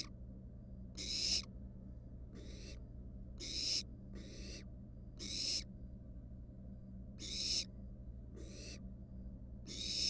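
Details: At a monitored nest box, wild barn owl nestlings sit with a mouse. Around nine scratchy hissing bursts pair off into loud and quieter calls, repeating over ten seconds against a low steady hum.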